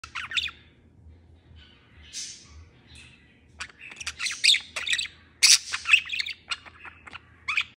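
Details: A male pet budgerigar, singing on his swing, warbles a fast, scratchy mix of chirps, squawks and buzzy chatter.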